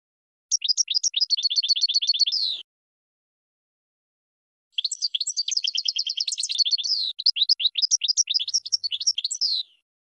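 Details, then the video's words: Goldfinch producing two bursts of song: first a steady, high twittering trill, then after a pause a longer, more varied run of bright chirps and trills. "Brilliant GOLDFINCH Song"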